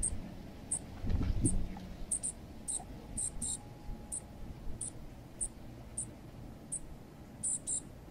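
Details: Fledgling junco on a balcony feeder being fed by a male junco: repeated piercing high squeaks, single or doubled, about four a second, over a low background rumble with a brief knock.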